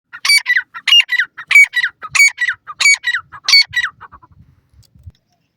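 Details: Female grey francolin (teetar), called Iranian partridge, with chicks: six loud, ringing, harmonic multi-note phrases repeated about every 0.6 seconds, then softening into fainter trailing notes before silence.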